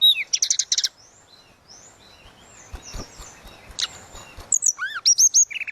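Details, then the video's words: Tledekan laut in flute-like song: a loud burst of high buzzy notes, a long quiet stretch with soft background noise and clicks, then clear rising whistles and short chirps. "Burung tledekan laut suling gacor"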